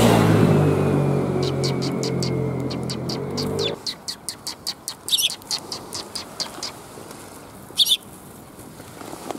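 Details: Sparrows arriving to be fed, recorded 5 December 2021 on the way out: after a loud low rumble of engine or music fades, short sharp chirps repeat in a quick, fairly regular series, with a couple of louder, buzzier notes.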